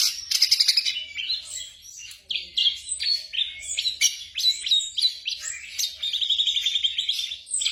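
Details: Night training recording of black drongo song for caged birds: very varied high whistles, slurs and sharp chips delivered rapidly, ending in a quick trilled run of repeated notes.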